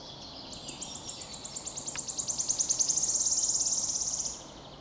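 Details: Wood warbler singing on 22 May 2023, a bird that often sings in flight. High, thin ticking notes speed up into a loud shivering trill lasting about two seconds, then cut off abruptly.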